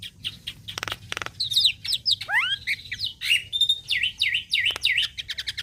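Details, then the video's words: Javan myna singing vigorously, used as a tutor for songbirds: a few dry clicks, then varied loud whistled slurs, some rising steeply and others dipping in V shapes, delivered quickly and irregularly. "Jalak Kebo gacor Mantap Suaranya"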